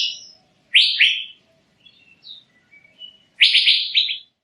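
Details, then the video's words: Asian fairy-bluebird with two loud rising whistles, soft twittering notes in between, then a quick burst of four fused upslurred whistles at the end. "Burung Cucak Biru"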